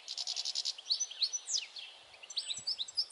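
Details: Song of a European goldfinch, recorded 22 May 2021: a quick burst of repeated chirps, then a jumble of thin whistles, slurred notes and sweet twittering phrases.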